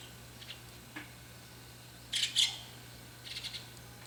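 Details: Young White-cheeked starling giving a couple of loud, scratchy high notes close together, followed by three softer rasping notes in quick succession; faint clicks earlier and a constant low hum in the background.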